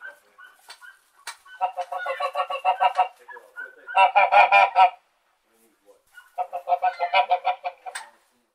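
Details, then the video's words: Domestic white geese honking in three loud bursts of rapid, nasal, harmonic-rich calls, about three honks per second, separated by brief pauses with a few softer notes. "Sound of Domestic White Geese Honking"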